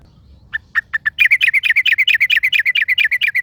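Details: In the wild, a yellow-vented bulbul exchanges song with another: a few spaced chirps open into a loud, steady stream of quick, bubbly, warbling notes, roughly two per second, continuing to the end.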